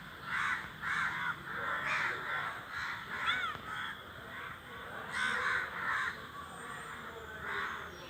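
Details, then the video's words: A crow flock noisily calling in flight. Harsh caws come in groups of two or three, with a brief higher whistled note mixed in partway through. "the flock of crows is making a flying noise"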